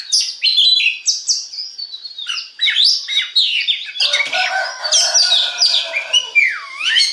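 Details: Oriental magpie-robin song used as a lure to set other magpie-robins singing: rapid varied whistles and chattering phrases, with a loud burst of harsher, lower notes midway and a slurred, dipping whistle near the end.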